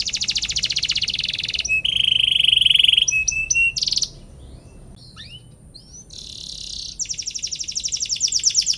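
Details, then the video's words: Canary singing a varied gacor song to trigger rival canaries: a fast buzzy trill, a flat steady whistle, short scattered notes and a quiet pause, then another rapid rattling trill. "KENARI GACOR PANJANG CUIT CUIT PANCING EMOSI LAWAN BIKIN NYAUT DAN GACOR |° CANARY SINGING"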